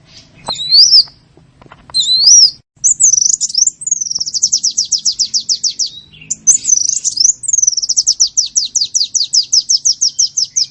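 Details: Small-bird lure sound used to attract birds: two upswept chirps, then long, steady trills of evenly spaced high descending notes repeated many times over several seconds.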